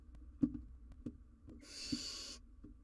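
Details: Wild barn owl owlet struggling with a big jird on a live cam gives a single harsh hissing screech lasting under a second, preceded by several soft knocks and taps.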